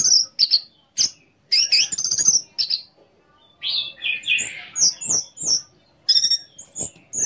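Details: Orange-headed thrush in full song, meant to stir other thrushes to sing: short whistled and slurred phrases at high pitch, a rough descending flourish midway, then clipped repeated notes, with soft knocking sounds underneath.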